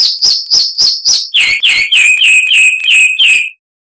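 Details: Tutor recording of a chalk-browed mockingbird with a rough voice: a run of high clipped notes that drops into a lower, faster series of repeated notes before falling silent.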